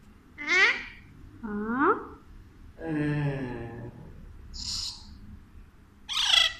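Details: Alexandrine parakeet talking to a baby in Urdu/Hindi, indoors: five separate voice-like bursts over six seconds. Some are harsh and rising, and a lower, drawn-out syllable sits in the middle. A person speaks just before.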